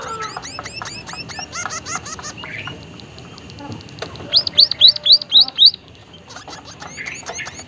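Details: White-headed munia in full voice with an odd call: five loud, high, arched chirps in a tight run, surrounded by fainter repeated chirps and twitters of other small birds.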